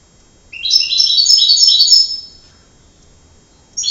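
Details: Canary singing a bright, high, rapid trill of fine repeated notes that rises slightly and lasts about one and a half seconds, followed by silence and the start of another phrase.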